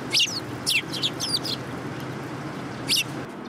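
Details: Urban sparrows arriving for food on 30 November 2015 give sharp, bright chirps in a quick run of four, then a pause and one more, over low city background rumble.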